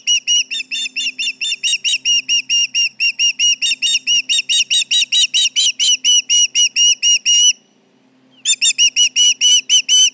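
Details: Alarm calling by an osprey at the Charlo nest while intruders are around, 29 July 2019, late morning: a rapid, steady series of sharp whistled chirps, roughly two per second, broken by a short pause near the end before resuming.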